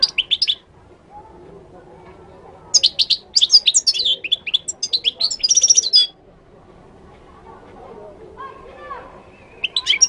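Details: Singing Moroccan goldfinch delivering a long, fast twittering phrase of high, liquid and buzzy notes for about three seconds, framed by shorter chirp bursts at the start and end, with a low background hum.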